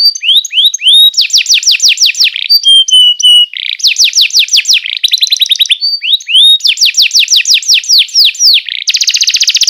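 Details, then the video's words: Canary singing as a master song for young canaries: rising whistled slurs, then rapid rolling tours of repeated falling syllables, short piping interludes, and a closing fast buzzy trill. "masteran burung kenari paud"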